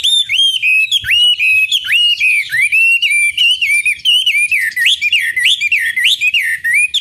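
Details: Chinese hwamei singing a loud, continuous run of clear whistled notes, each swooping up and down in quick succession, with the phrases tumbling over one another for the whole seven seconds.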